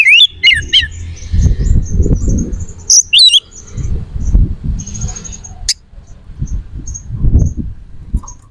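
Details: White-rumped shama in lively song, played to stir aggression and breeding drive in other shamas: quick rising and falling whistled sweeps at the start, another short burst near three seconds, over steady low rumbling background noise.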